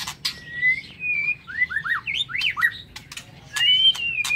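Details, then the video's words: White-rumped shama singing in the morning in an aviary: clear, pure whistled notes, some long and level, others quick downslurred and upslurred phrases, with sharp clicking ticks between them. "Tiếng Chích Chòe Lửa độc lạ hay"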